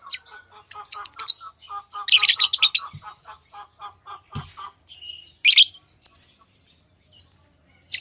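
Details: Pet lovebirds kept as tamed birds, giving sharp chirps and short squawky notes in quick bursts, with a steady low rapid ticking series running underneath for several seconds and a few louder harsh calls.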